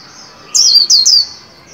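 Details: A caged white-eye being trained to sing, around New Year 2021, gives a quick burst of three very high, thin, downslurred notes in under a second, with quiet before and after.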